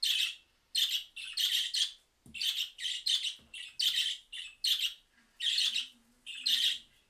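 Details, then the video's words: Budgerigars respond to a mobile-phone recording with bursts of high, scratchy chirping and warbling, about one a second with short gaps, in a small room; a faint low hum runs briefly underneath. "Periquitos Australianos respondiendo a una grabación de teléfono móvil"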